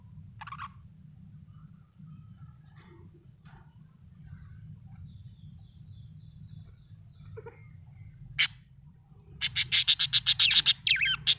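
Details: Happy pet budgerigar chirping: faint scattered calls, then one sharp chirp and a fast burst of about ten bright, buzzy repeated notes near the end, over a steady low hum.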